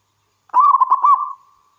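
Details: A local zebra dove gives one soft, mid-pitched cooing phrase: a quick run of rolling, bubbly notes trailing off into a thin hum, used to lure other zebra doves into calling.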